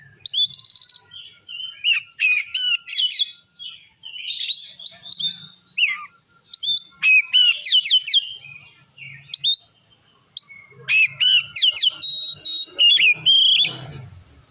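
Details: Long stretch of vigorous Oriental magpie-robin song for provoking rival magpie-robins: varied whistles, harsh slurred notes and chattering bursts delivered almost without pause, with a faint low hum in the background.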